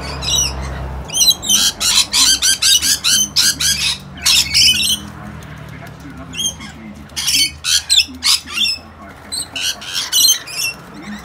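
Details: Wild rainbow lorikeets, a flock gatecrashing two young visitors at a balcony feeding, squabbling in the morning. Harsh, screechy squawks come in rapid irregular bursts, several per second, with a short pause midway, over faint low background hum.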